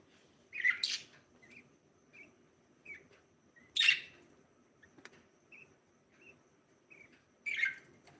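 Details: Breeding pair of budgerigars chirping: three loud, harsh, broadband chirps about three seconds apart, with softer short warbled notes between them over a quiet background.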